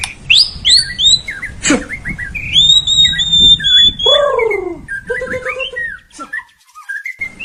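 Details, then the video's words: White-rumped shama song used as a lure to provoke a lazy caged bird into singing: varied clear whistles, rising and falling notes and a buzzy downslurred phrase in the middle, delivered in quick bursts with short pauses. "PANCINGAN PALING JITU UNTUK MURAI YANG MALAS BUNYI"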